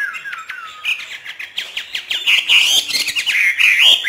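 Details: Hwamei trained by northern Vietnam artisans, 'hót thả' style: a busy stream of quick down-slurred chips building into loud, sweet whistled phrases and rising trills.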